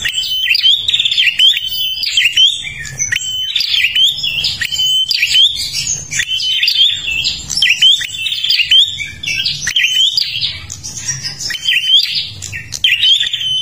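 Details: Prinia from Kalimantan singing continuously, a lure recording for other birds: a long run of rapid, repeated high chirping phrases with buzzy notes and brief level whistles, rhythmic and almost unbroken throughout.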